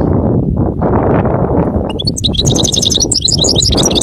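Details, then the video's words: A goldfinch's song starts midway: fast, high, chattering twitters and short trilled notes over continuous loud low-pitched rumbling that fills the whole recording. "Bestest Goldfinch singing"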